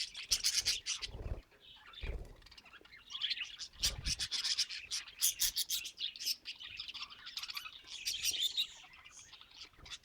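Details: Happy budgerigars keep up a steady scratchy twitter and high chirping, broken by a few dull low knocks.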